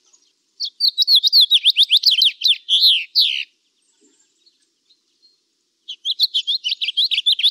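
Budgerigar warbling in quick, chattering bursts of high, scratchy chirps and squeaky notes.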